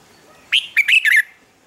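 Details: Red-whiskered bulbul, morning training song used as a lure: one crisp phrase of four rapid, loud whistled notes, rising then dropping in bright slurs, lasting under a second in otherwise quiet surroundings.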